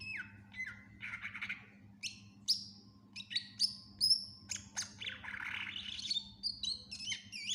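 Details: Greater green leafbird (cucak ijo) in full gacor isian song, recorded for teaching other songbirds: varied phrases of piercing upslurred whistles, buzzy trills and quick chirps, delivered in uneven bursts with brief pauses, steady low hum beneath.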